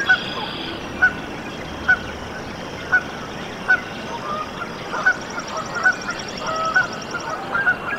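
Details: At a nest in Decorah, Iowa, USA, on 14 April 2024, where goslings had hatched, a Canada goose gives short, sharp, mid-pitched calls, repeated about once a second and quickening toward the end, over a steady hiss.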